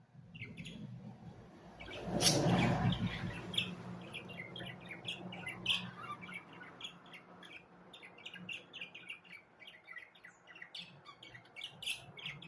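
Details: Budgerigars chattering in a busy, continuous warble of many quick, high clicks and chirps, with a brief loud low rumble near the start.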